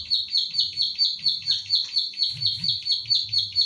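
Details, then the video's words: Training recording of a prinia called ciblek sawah or klik klik, made in central Central Java with an Infinix Hot 9 Play phone. Bright, clipped high notes repeat rapidly and evenly, over a soft low background hum. "Masteran Klik Klik / Ciblek Sawah Gacor"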